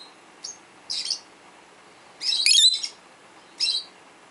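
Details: Peach-faced lovebird, a 12-year-old indoor pet, calling to other lovebirds; four brief shrill chirps, the third longest and loudest, over a quiet room.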